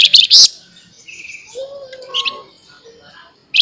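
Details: Flamboyan in sharp nyerecet song: loud, very high, harsh bursts, then softer clear whistled tones at several pitches, ending with another sharp burst.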